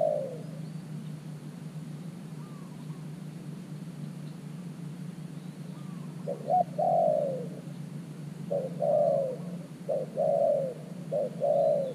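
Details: New decoy spotted dove at an earthen trap, cooing to draw in wild doves: an opening coo, a pause, then a run of mellow low phrases, each a brief note leading into a drawn-out falling coo.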